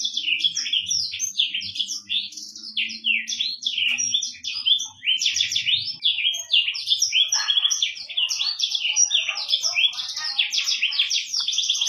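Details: African Black-throated canary pouring out tutor song meant for training other birds: dense, rapid high warbling of chips, trills and whistles throughout, with a faint low hum beneath during the first half.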